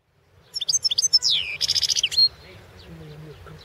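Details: European goldfinch of the Balkan subspecies Carduelis carduelis balcanica, competition recording from the 2016 internet World Championship in goldfinch song: rapid tinkling twitters, a slurred descending note, then a buzzy fast trill before the phrase breaks off.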